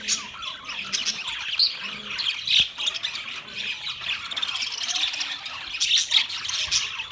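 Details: Australian parrots, budgies, chattering continuously on 13 March 2024: dense, scratchy chirps and warbling twitters from several birds overlapping, with a sharp click near the middle.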